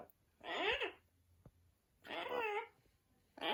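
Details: Amazon parrots hanging out together indoors, giving two drawn-out, harmonic, wavering squawks about a second and a half apart, each bending up and down in pitch, with a third call starting at the end; the room is otherwise quiet.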